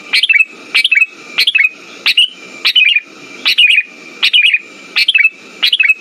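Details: Lure song of the sooty-headed bulbul for stimulating birds that no longer sing: rapid bursts of two to three sharp chirps with falling slurs, nine phrases in six seconds, over a constant faint high hum.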